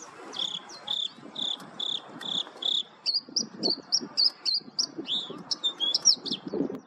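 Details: White-spotted bluethroat at Agham, Ladakh, India, in July 2022, singing high, ringing notes about three times a second, then breaking into quicker, varied twittering over a low rumble.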